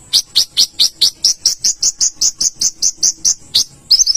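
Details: Olive-backed sunbird singing a steady series of about sixteen sharp, high chipping notes, roughly four per second, shifting slightly higher midway, ending in a brief quick trill.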